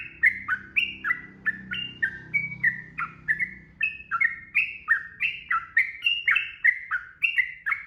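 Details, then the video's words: Sooty-headed bulbul singing ropel, the fast, continuous style used to train captive birds: liquid whistled phrases, each a quick rise and fall, in a steady stream over a low background hum. "SUARA TRUCUKAN ROPEL GACOR"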